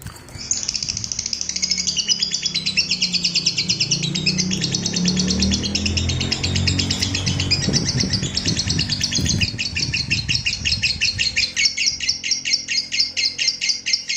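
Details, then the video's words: Lovebird delivering a long ngekek panjang, a sustained rapid chattering trill of high rattling notes lasting over ten seconds, used to provoke and train other lovebirds; low murmuring background noise underneath. "SUARA MANCING BURUNG LOVEBIRD NGEKEK PANJANG,MELATIH BURUNG LOVEBIRD NGEKEK PANJANG"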